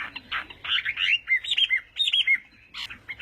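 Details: Chinese hwamei at morning song practice, with a jumble of short whistled and chattering notes, some harsh, rising and falling in quick bursts with brief pauses.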